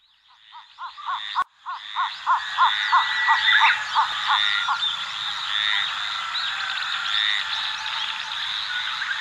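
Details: {'caption': 'Cinnamon bittern in Pingtung County, Taiwan, recorded 14 July 2022: a series of about twelve low, hollow, evenly spaced notes, roughly three per second, rising in strength and then fading. A dense chorus of insects and other birds fills the background.'}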